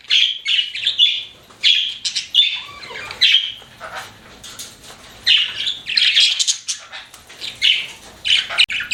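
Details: Pet budgies chirp in quick clusters of short, bright, squeaky notes and harsher chatters, spaced by brief pauses.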